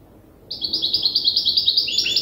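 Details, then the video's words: Young European goldfinch hybrid still memorising its song, taught by another, older goldfinch hybrid; after half a second of quiet comes a fast, even run of bright, high twittering notes, with a few lower slurred notes near the end. "تغريد هجين الحسون لازال في مرحلة الحفظ"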